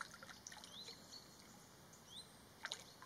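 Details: In the Olza Valley, Poland, a common kingfisher gives faint, thin high whistles, some rising sharply, scattered across three seconds, with a sharper note near the end over trickling water.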